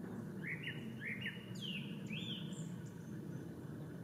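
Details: A male Japanese thrush singing at Ōbora spring, Lake Yamanaka, Japan, on 3 May 2017: a quick run of clear whistled phrases, rising and falling, then thin high notes, over a steady low rumble.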